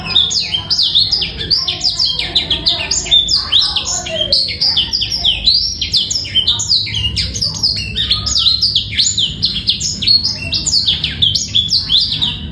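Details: Black-throated canary song used as a master recording for training young birds to sing, also said to bring females into breeding condition: a dense, continuous run of clear, high, rapid twittering and trilled phrases with steady low background rumble.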